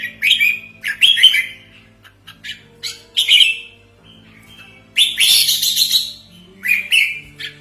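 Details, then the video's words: Red-whiskered bulbul giving a lure call for trapping and training: short liquid, chirpy phrases in irregular clusters, one louder rich chattering burst near the middle, with a faint steady hum. "Suara Pikat Merbah Jambul Buat Master"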